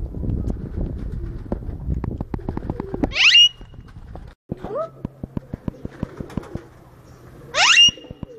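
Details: Ringneck parrot at a farm in Bahria Town, Lahore, Pakistan, giving two loud, harsh rising screeches about four seconds apart, with short modulated chatter between them over a low background hum and clicking.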